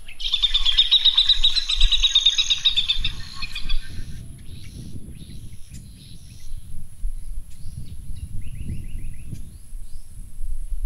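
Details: A comb-crested jacana with newly hatched chicks at Fogg Dam, Darwin, Northern Territory, Australia, gives a dense burst of high, squeaky chattering notes for about two seconds, then scattered faint chirps over a low rumble of wind.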